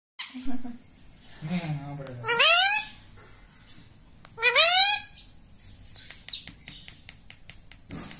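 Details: Pet rose-ringed parakeet said to talk, saying 'mummy' and 'papa': two loud, harmonically rich voice-like syllables, rising then arching downward, with a faint low hum and soft clicks between them.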